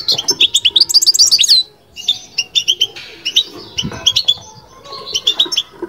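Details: European goldfinch babtaba (بتبتة) song: a dense, rising run of sharp metallic twitters opens, then a short pause before clipped chirping phrases resume, with faint low knocking beneath.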